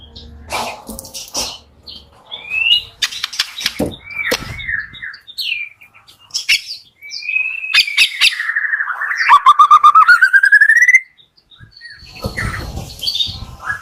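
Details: Shama, white-rumped, singing a morning song to spur birds slow to sing: scattered whistles and clicks, then a long buzzy phrase ending in a rising series of rapid repeated notes, followed by quieter chatter.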